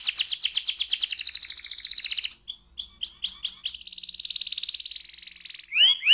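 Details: Canary rolling ngerol song used as a lure to get other canaries singing: fast high rattling trills, short clipped whistled notes, another long buzzy roll, and sharp sweeping chirps at the close.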